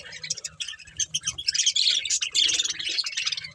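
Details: A breeding budgerigar pair chirps in rapid, uneven bursts of squeaky notes, building in loudness midway, over a low background hum.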